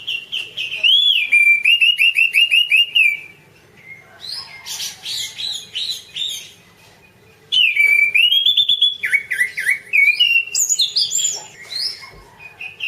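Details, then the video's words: Orange-banded thrush in a masteran recording: a run of rapid repeated whistled notes, then dense chattering and mimic-like varied phrases, a quieter pause, and another energetic burst of slurred whistles and trills. "suara kicau burung anis cendana : masteran anis cendana"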